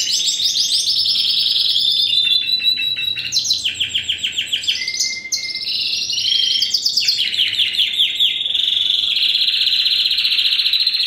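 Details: Extended song from a first-generation Spanish Timbrado canary crossed with wild canary, bred in 2015: continuous trills shifting pitch, with a short pure whistle midway before resuming dense rolling phrases.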